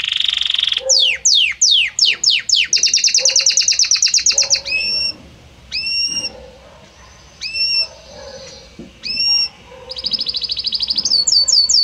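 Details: Belgian canary singing a varied song: rapid descending whistled sweeps, a fast buzzy trill, then separate rising-and-falling notes with pauses between, ending in another quick trill and high chirps.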